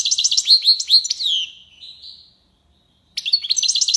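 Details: Goldfinch in tiwawati style: a quick run of bright, liquid twittered notes fading into a soft buzz, a pause, then twittering resumes.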